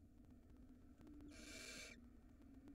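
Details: Barn owl nestling feeding at the nest, filmed by a 4K nest cam in Israel in spring 2022; a single loud, rasping hiss lasting over half a second, against a quiet, humming background.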